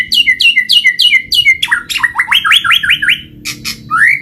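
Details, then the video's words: White-rumped shama song used as a lure to get reluctant shamas singing. It opens with a run of repeated bright, falling whistled notes, then a series of quick rising slurred whistles and a few sharp notes, all loud and clear. "Pancinggan Murai Batu Jadi Gacor Ngeplong, Murai Malas Bunyi Langsung Respon Gacor"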